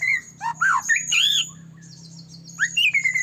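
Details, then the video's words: White-rumped shama singing steadily, played as a lure so other shamas start singing and get worked up; loud rich whistled phrases with arching slurred notes and quick high trills, then a short quieter gap before more whistles, with a faint low hum. "murai batu gacor AMPUH buat PANCINGAN murai batu agar bunyi JADIKAN burung murai LANSUNG EMOSI"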